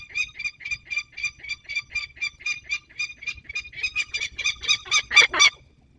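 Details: Peregrine falcon returning from hunting in Poland's Barycz Valley, 27 August 2022; a rapid run of harsh, nasal notes that speeds up and grows louder and raspier toward the end.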